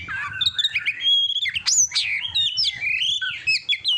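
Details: Oriental magpie-robin from a tutoring recording for contest birds, delivering a varied rich song: warbled low whistles, a clean level note, then a loud downward-plunging sweep followed by quick chirps and slurs.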